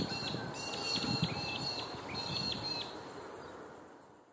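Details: Rainbow lorikeet at Biambi Yumba Park, Fig Tree Pocket, Brisbane, Queensland, Australia, 16 December 2014. Two quick bursts of short, shrill, repeated chirping calls over nearly three seconds, then fading out over a low background rumble.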